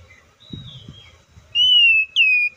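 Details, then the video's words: Oriental magpie-robin (Copsychus saucaris) giving two long, clear whistled notes, each held about half a second and sliding slightly downward, after a quiet start with faint low rumble. "THE BIRD COPSYCHUS SAUCARIS VOICES MUCH LONG LIKE IN NATURE!"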